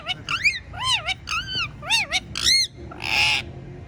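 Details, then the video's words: Talking pet parrot whistling a run of five clear, arched, bell-like notes about every half second, then ending with a loud harsh screech. "Talking Parrot Says Funny Words and Whistles Perfectly"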